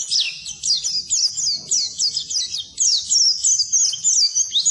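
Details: Oriental white-eye singing, recorded as a tutor track for silent birds: a lively run of high, sharply slurred chirps delivered in quick succession, about three notes per second, with tiny pauses between phrases.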